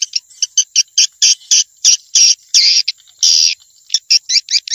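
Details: Swiftlet sound from Vietnam for attracting swiftlets to bird houses: separate high chirps and longer raspy buzzes, some half a second long, spaced by brief silences.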